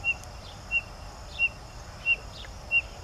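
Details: Spotted nothura in Minas Gerais, Brazil, giving short, high, thin whistled notes, evenly spaced about every two-thirds of a second, over a steady hiss of outdoor background noise.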